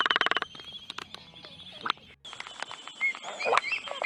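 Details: Black-footed Albatross at an island breeding colony, displaying during mate selection or a dispute: a burst of rapid bill-clattering, then scattered clacks, short whistles and groaning notes, with more colony calls behind.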